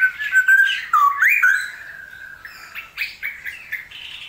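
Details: Straw-headed bulbul heard during the wet season. An opening burst of rich, swooping whistles is followed by quieter, softer chirped notes trailing off.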